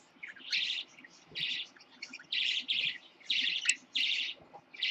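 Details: A baby Lutino parakeet, born 10/26/15, gives bursts of bright, scratchy chirps, each about a third of a second, repeated in quick, uneven runs against a quiet room.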